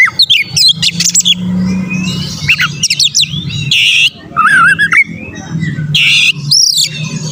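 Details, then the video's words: An Oriental magpie-robin sings persistently to provoke rivals, mixing rapid chirps, harsh buzzy bursts and a wavering whistled phrase, with a noticeable low droning hum throughout. "pancingan burung Kacer gacor dongkrak emosi lawan"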